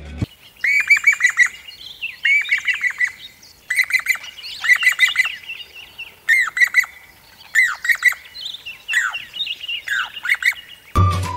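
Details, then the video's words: Jacobin (pied crested) cuckoo recorded in Sri Lanka gives loud, ringing bursts of quick metallic notes, about eight phrases roughly every second and a half, ending with a dull thump. "Pied Crested Cuckoo | Sound / Call"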